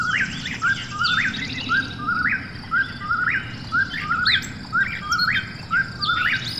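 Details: Eastern whip-poor-will calling in the night, a loud rhythmic whistle with upswept ending repeated roughly every second, accompanied by faint higher calls of other birds.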